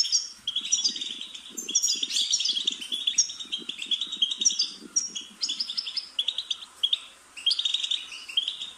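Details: European goldfinch song on a tape meant to stimulate a caged bird to sing: fast, continuous liquid twittering with buzzy trills and high tinkling notes, and faint low rustling or clicking underneath.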